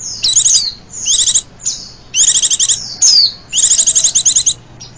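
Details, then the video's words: Female Oriental white-eye giving high, thin, rapid trilled bursts, each under a second, repeated in quick succession with brief sweeping notes between; the background is quiet. "pleci betina ngecirrr"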